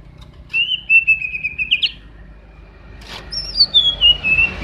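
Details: Greater green leafbird, offered as a reference for training other birds: two long thin whistled phrases, the first level and wavering, the second starting high and sliding gradually down, over a low steady background hum.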